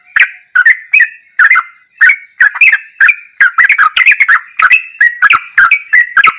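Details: Bird-training recording of yellow-vented bulbul song in ropelan goklikan style: lively chattering phrases of gurgled notes, grouped in pairs and triplets, running densely with only brief gaps.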